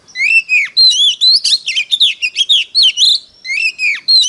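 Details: Oriental magpie-robin decoy bird in competitive fighting song to call in wild birds: a rapid, unbroken run of loud whistled, swooping and trilled notes, about four phrases per second, with no other sounds.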